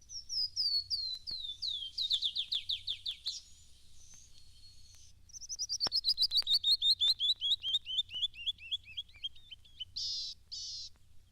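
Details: Canyon wren of the Southwest singing its descending-scale song: two cascades of clear, high whistled notes, each quickening and sliding down, then a few harsh buzzy notes at the end.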